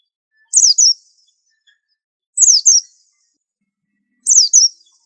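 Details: Pleci or white-eye of the 'super antik' type, a master singer meant to be unique: three evenly spaced doublets of high falling chirps, roughly one every two seconds, against quiet background.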